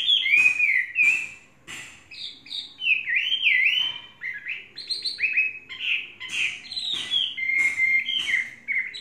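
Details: Tame Chinese hwamei, kept three seasons and described as flawless, singing a lively run of clear whistled phrases that swoop and warble, broken by sharp clicking notes, with brief pauses between bursts.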